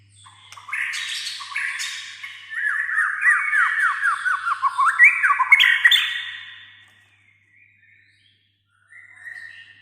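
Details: Lively white-rumped shama song used as a lure to make a quiet shama sing: harsh buzzy notes lead into a rapid series of downward-sweeping whistles and rising phrases, then silence before a short closing note.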